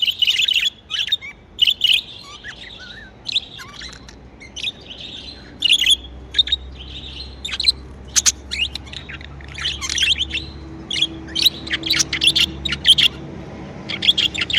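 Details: Kept budgerigars chirp happily in near-continuous chatter, a dense run of buzzy, scratchy warbled notes with short pauses throughout.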